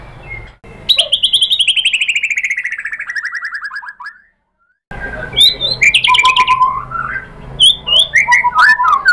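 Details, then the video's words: White-rumped shama lure song to provoke other birds: a long, steadily descending rapid trill lasting about three seconds, a short silence, then varied whistled phrases. "MURAI BATU Langsung NYAMBER EMOSI BONGKAR MATERI ¦ PANCINGAN MURAI ¦ SHAMA BIRD"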